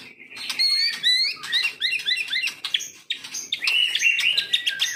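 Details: Medan-type white-rumped shama kept in a cage delivers rapid, varied song: sharp chirps, slurred upward and downward whistles and buzzy notes tumbling together without pause.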